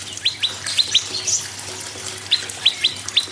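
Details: Prinia song used to coax other birds into song: short rising chips in pairs early and late, separated by a quiet stretch with background hiss.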